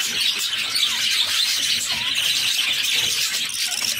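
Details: Begging from a brood of six budgerigar chicks at feeding time: an unbroken, scratchy, high-pitched squealing chorus that holds an even loudness throughout.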